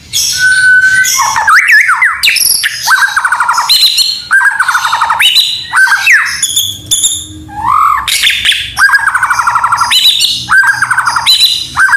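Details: White-rumped shama (murai batu) in loud, nonstop song: rich whistles, slurred rising notes and fast high trills woven with canary-like phrases, with no pause between bursts.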